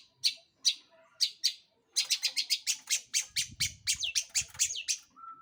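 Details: A long-tailed shrike, played to draw other birds into singing, gives four spaced harsh high notes, then a rapid run of scratchy squawking notes with some curling whistles and soft low thumps.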